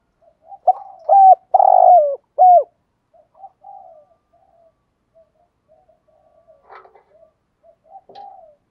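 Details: Spotted dove 'thúc gù' coo, played to provoke wild doves: an opening burst of four strong clipped coos, then soft scattered low coos, a brief rustling click and a final quiet coo.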